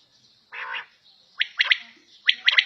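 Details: Indoor quail (battair): a harsh, grating burst, then sharp bright triple-noted calls, a single note followed by a rapid pair.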